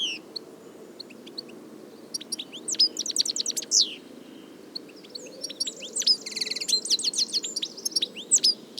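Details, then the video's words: European goldfinch recorded in nature, a bird vanished from the wild in many countries through overhunting: scattered high chirps build into quick twittering runs and a buzzy trilled stretch, with steady low background hum. "صوت الحسون حسون ذهبي عروس التركمان طقطق شوك الحسون صافي من الطبيعة European goldfinch sound"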